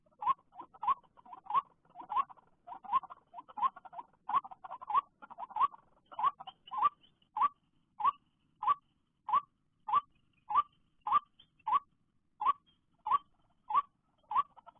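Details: White-breasted waterhen calling after rain at a bird-trapping site: a short, mid-pitched, slightly rising note repeated steadily about every 0.6 seconds, fuller and doubled in the first half, then single, clean repetitions in a quiet background.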